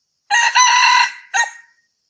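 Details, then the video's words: Red junglefowl crow used as a hunting lure: a harsh, bright drawn-out crow of about one second, then a short clipped final note after a brief break. "SUARA AYAM HUTAN MERAH cocok buat pikat"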